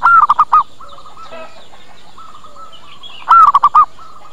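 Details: Zebra dove lure call for bringing birds quickly and getting them to answer: two loud phrases of a long coo plus short coos, joined by a long train of quieter, evenly spaced soft coos.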